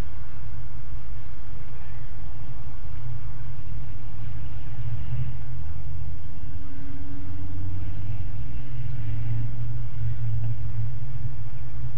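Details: Low rumbling traffic and vehicle noise throughout, with no animal sound heard.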